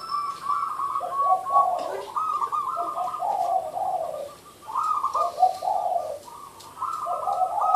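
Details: Merbuk (zebra dove) derak call: chains of staccato, burbling coo notes that alternate low and high, given in phrases of about a second with brief gaps between them. Faint clicks can be heard.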